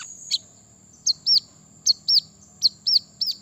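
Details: Brown-throated sunbird luring rivals into song: paired hooked whistled notes repeated about every three quarters of a second, bright and high, over a steady thin whine and a low hum.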